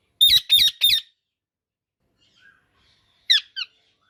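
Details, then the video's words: Three grating squawks in quick succession from an Indian ringneck parakeet, followed after a quiet stretch by two shorter, thinner calls. "Indian Ringneck Parrot Natural Sounds"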